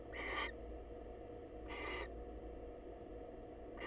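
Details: Wild female barn owl visiting a male at a monitored nest box to say hello: harsh, hissing screeches, each about half a second, with three bursts spaced roughly 1.5 seconds apart over steady background hum.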